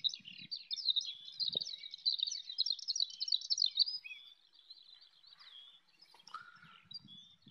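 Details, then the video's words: Skylark flight song from a wheat field near Bath, England, where many skylarks sang on the wing, captured by iPhone: about four seconds of dense, rapid, high twittering and trilling, then a thinner, fainter continuing warble with brief low wind noise. "Skylarks singing in flight"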